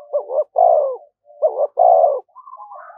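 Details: Spotted dove decoy bird cooing continuously to provoke fighting: two phrases, each two short rising notes then a longer, lower drawn-out coo, followed by a faint higher whistled sound.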